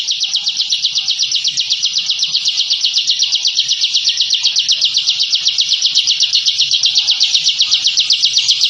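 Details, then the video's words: High, fast, machine-like trill from a captive bar-winged prinia (ciblek) in ngebren song, used to intimidate rivals; the evenly spaced buzzy notes pour out without a break for nearly nine seconds. "Suara Masteran Burung Ciblek Ngebren & Rapat Abis"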